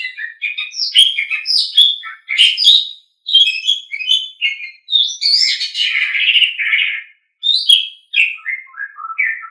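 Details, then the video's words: Song of an Asian pied starling meant for training pet birds: squeaky, chattering phrases with slurred whistles and a few falling notes, broken by short silences. "Suara Burung Jalak Suren"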